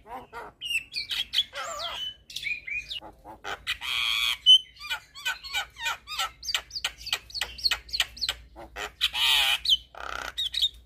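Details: Javan myna ocehan song for training young birds: a medley of upslurred whistles, rasping buzzes and rapid ticking notes, loud and varied, with short gaps and a few harsh noisy bursts.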